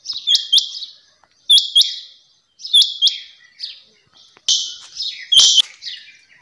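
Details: Female rain quail calling: a metallic, high double note repeated about every 1.3 seconds, with one louder, longer, buzzier pair near the end and no other sounds.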